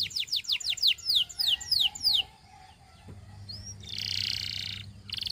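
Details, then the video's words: Canary singing a run of loud descending whistled sweeps, about four per second. After a short pause comes a single upslurred whistle, then a loud buzzy trill, with a low hum in the background. "Your Canary Calls And Tempts All The Canaries to Sing"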